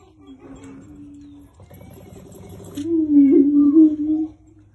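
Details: A male Greater prairie-chicken, dancing and calling in display, gives low, hollow moaning hoots: a soft steady tone, then a louder swelling boom that rises and dips for over a second, with faint chiming sounds between.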